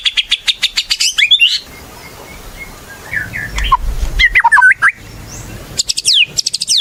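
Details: White-rumped shama in prolific song, used as a lure to prompt other shamas to sing: fast high chattering notes, then scattered whistled and slurred phrases, then more rapid high notes at the end.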